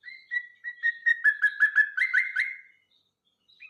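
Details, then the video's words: Yellow-vented bulbul song played as a songbird lure: a quick series of bright, repeated whistled notes that speed up and rise slightly before stopping, with a brief faint note at the end. "pancingan burung cerukcuk"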